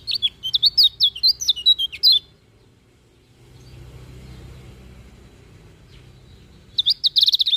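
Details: Lemon-bellied white-eye singing in the morning: two seconds of sharp, high, jerky whistled notes, a quiet gap with soft background noise, then a dense, buzzy burst of song.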